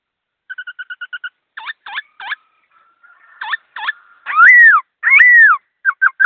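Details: Songbird singing loudly: a quick run of seven clipped whistled notes, then paired chirps, a thin held tone, two long ringing rising-and-falling whistles, and a closing trio of short notes, all in a quiet setting.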